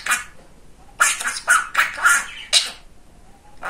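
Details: Talkative male pet budgerigar mimicking speech: scratchy, high-pitched word-like bursts clustered between one and three seconds, separated by quiet gaps, with a final short burst at the end.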